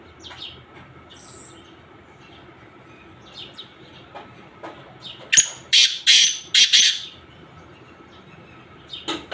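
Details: Black francolin calling amid mixed sounds. Quiet background chirping gives way to a loud, harsh series of four to five rasping notes, closely spaced, followed by a faint final note.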